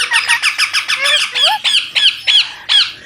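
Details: Young Indian ringneck parakeet, a desi baby parrot, calling in a rapid series of scratchy, harsh squawks, around ten bursts in three seconds, with one lower whining note in the middle, followed by a woman's voice.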